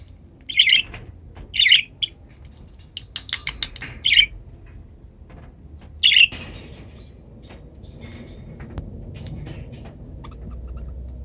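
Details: Newly acquired pet budgerigars in a new cage: four sharp, high chirps at irregular intervals, with faint rustling and clicks between them and a quiet final stretch.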